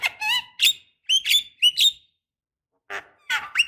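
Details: Black-winged starling, a female calling males, used as a lure to make young birds answer; loud squeaky whistled and chattering notes with harsh overtones in short bursts, a pause, then more squeaky calls.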